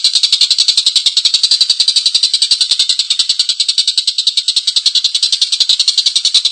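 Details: Collared kingfisher in a sustained rough laughing call, dozens of grating high notes delivered quickly and evenly without pause.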